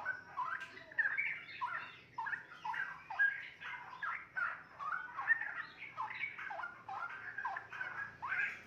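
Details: Talkative 2.5-month-old straw-headed bulbul kept in captivity, delivering a continuous series of short bubbly, slurred notes and chatters in uneven bursts, with a faint background hum.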